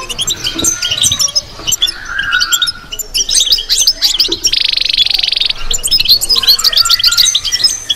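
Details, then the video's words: European goldfinch delivering batbata song: dense twittering chatter of high notes, a drawn-out lower whistle early on, and a harsh buzzy note held for about a second midway. "بتبتة لو مغناش معها"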